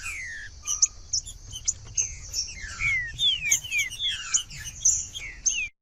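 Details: Green-winged saltator song used to warm up a reluctant bird: many clear whistles sliding downward, with a short low tone early on, all over a loud, continuous high hiss.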